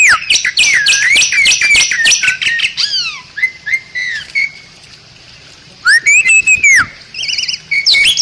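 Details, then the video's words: Bali myna song used as a master recording for training other songbirds: rapid runs of whistled, harsh notes that swoop down, then a quiet gap and bursts of sliding whistles with buzzy chatter. "Ocehan Burung Jalak Bali"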